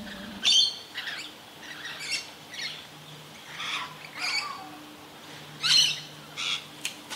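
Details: Quieter scratchy screeches and sharp chips from a Rainbow Lorikeet during frantic feeding in Australia, spaced irregularly, with a low steady hum underneath.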